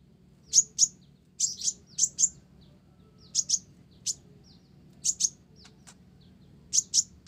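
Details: Olive-backed sunbird, konin blorok type, in lively song with Java sparrow fill: paired sharp high chips repeated in clusters, separated by short silences, with faint soft ticks between.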